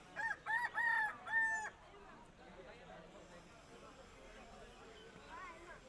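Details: Rooster standing and playing: a loud crow of several harmonic, slightly rising then falling syllables in the first two seconds, followed by quiet background murmur.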